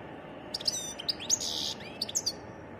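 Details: European goldfinch giving varied song, described as wild: short high twittering notes and a buzzy trill near the middle, with sharp chirps before and after, over a low steady background hiss.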